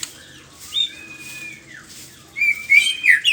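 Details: White-rumped shama singing in the morning: a long, steady whistled note, then a falling slur, then a burst of quick, high, sliding phrases rising and falling near the end.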